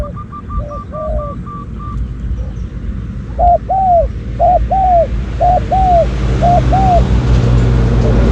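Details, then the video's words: Spotted dove coos during decoy luring of wild doves. A rapid series of higher, evenly spaced short notes opens, then paired coos, a brief note and a longer arched coo, repeat steadily over low background rumble. "ต่อนกเขาใหญ่ เสียงนกเขาใหญ่"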